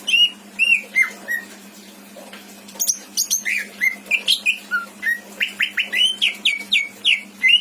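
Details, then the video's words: Greater green leafbird kept in a cage in Indramayu, Indonesia, pouring out a song of mixed imitated phrases: whistled slurs and sharp high notes, then a quick rhythmic run of falling whistles about three per second. "Burung cucak ijo isian mantap!!!"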